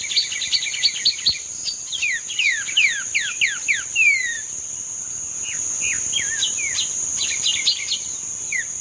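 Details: Treme terra song of a green-winged saltator, dated 31 May 2025: bright descending whistled slurs in rapid runs, a longer falling note, then looser chirps, with a constant shrill insect tone throughout.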